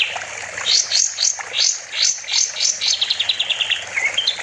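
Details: Master recording of a kapas tembak bulbul, used to train other songbirds: a lively series of sharp, falling and rising whistled notes in uneven bursts, ending with faster chattering chips.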